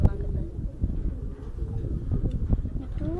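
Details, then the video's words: A pet rose-ringed (ringneck) parakeet at a dairy farm in Lahore, Pakistan, mimics human speech such as "me too" and "honey" in a raspy, chattering voice, repeating short syllables over a low background rumble. "Ringneck Parrot Talking"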